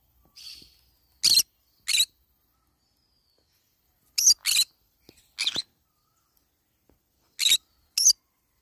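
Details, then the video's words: Eating banana leaves, a green-cheeked conure lets out around nine short, harsh screeches, mostly in quick doublets, preceded by a softer raspy note. "green cheek conure cute bird sound"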